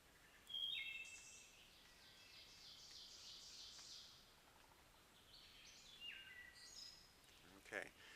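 A Wood Thrush sings two flute-like phrases several seconds apart, each with clear whistled notes ending in a high, ringing trill, over a soft background hiss.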